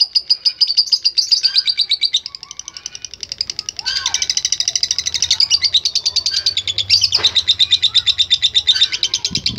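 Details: Lovebird delivering a long 'ngekek' trill, shrill rapid pulses that falter and restart several times, with scattered softer chirps, a few sliding notes and a low background rumble.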